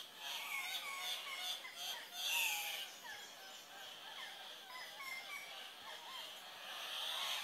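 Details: Andean cock-of-the-rock males displaying at a lek at dawn, twelve to twenty birds parading and screaming to attract a few females; a dense overlapping chorus of harsh, squawking calls rises and falls without pause.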